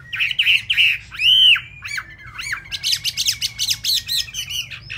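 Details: Chinese hwamei with still-damp plumage sings quickly: a few rich whistles, one loud drawn-out arching note, then a dense stream of sharp high chirps and trills.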